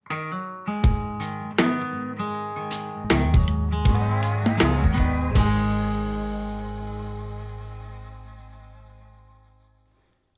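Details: Plucked guitar chords ring out and fade away slowly, with no animal sounds heard.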